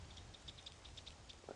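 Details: Batis, a little flycatcher, gives upset alarm calls during a morning safari drive on July 10, 2016, possibly at a nearby leopard: a rapid, irregular series of dry, high ticking clicks, several per second, over a low rumble and a brief human voice.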